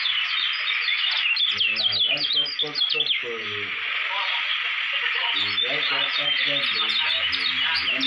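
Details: Continuous high, thin chattering song of a Lombok white-eye groomed for song contests, with slurred descending phrases. Lower pulsing harmonic bursts appear at the start and end.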